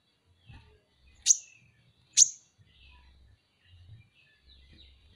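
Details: Kolibri ninja, Van Hasselt's sunbird, used as masteran material: sharp, high-pitched tsip notes, two close together and a third at the end, with quiet low knocking sounds in the background.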